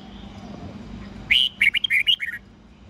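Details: 'Old forest voice' morning song of a red-whiskered bulbul, 8 to 10 notes, played to teach young birds: after quiet hiss, one crisp phrase of about seven quick, bright whistled notes.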